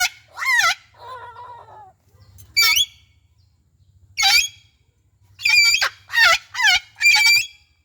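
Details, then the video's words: Citron-crested cockatoo (yakob jambul orange) kept as a pet bird: harsh, loud screeches in short bursts, some with falling or bending tones, separated by quiet gaps, plus a brief lower buzzing phrase early on. "Burung Yakob Jambul orange suara"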